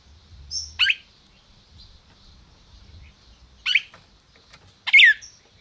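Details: Captive-bred red-crested cardinal, 'máquina' type, in Brazil: three scattered, sharp down-swept chirps separated by long gaps, fairly soft, with faint low rumbling in the background.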